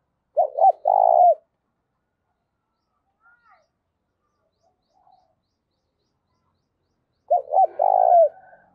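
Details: Thúc-style coo of a spotted dove, used to lure wild doves: two phrases about seven seconds apart, each made of quick low hoots and a drawn-out buzzy coo. A few faint distant notes fall between them.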